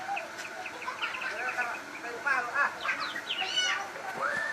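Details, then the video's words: Crossbred shama singing persistently: a dense run of varied whistled and chattering notes, slurred up and down, with louder rising whistles near the end. "burung murai gacor hasil kawin silang"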